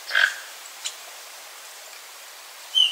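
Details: A Toco toucan feeding on fruit in a backyard papaya tree in Brazil. A single hoarse, rasping croak opens the clip, followed by quiet and a short whistled note from another bird at the end.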